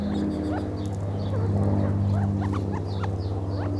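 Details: Gambel's quail murmuring in quick, uneven little upslurred chips and clucks, tightly bunched, against a loud steady low hum and faint high twitters.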